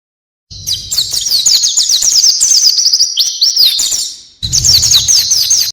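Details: Energetic 'isian' song of an oriental white-eye, delivered 'gacor': a continuous stream of sharp, high, zigzagging chirps lasting several seconds, a short drop-off, then another bright burst of rapid notes.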